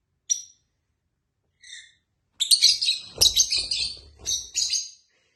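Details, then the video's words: Tame lovebirds kept indoors as pets, with a companion bird: a few isolated shrill chirps, then a dense run of harsh, high chattering notes over about three seconds, with low rustling or handling noise beneath. "Lovebird sounds | tame birds | Lovebird talking and singing"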